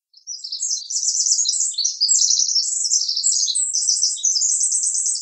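A Pacific Wren's very high, tinkling cascade of rapid trills and buzzy notes runs on without a break for the whole five seconds. No other sounds.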